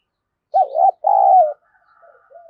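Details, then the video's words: Spotted dove 'thúc gù' coo, played to lure wild doves: two loud, low, mellow coos, the second longer and more drawn out, followed by softer trailing notes against a quiet background. "Tiếng cu gáy kích bổi hiệu quả, cu gáy Gọi. cu gáy thúc gù kích bổi"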